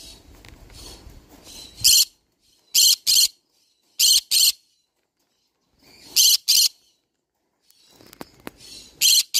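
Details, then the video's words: Repeated harsh screeches from a green-cheeked conure, mostly in rapid pairs about a second or two apart, with muffled low noise and faint ticking between bursts. "green cheek conure parrot sound"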